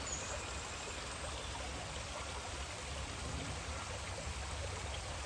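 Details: A steady rush of flowing water, like a stream or small waterfall, with no animal voices.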